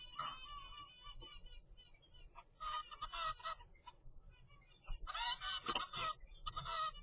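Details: Zebra finch chick aged 25 days making quick nasal, buzzy calls in uneven bursts, louder toward the end, over a low steady background rumble.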